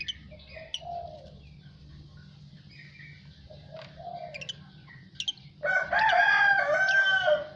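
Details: Asian pied starling singing after bathing: scattered thin whistled notes and short slurred phrases, then a loud, harsh, buzzy burst of chattering, grating notes in the last two seconds, over a low steady hum.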